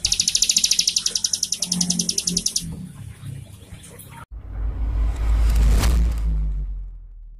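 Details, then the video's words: A fast, high prinia trill, played to get a captive bird singing, runs for nearly three seconds, then gives way to a loud rushing, rumbling noise. "Pancingan / masteran cigun gacor buat cigun bakalan atau macet bunyi"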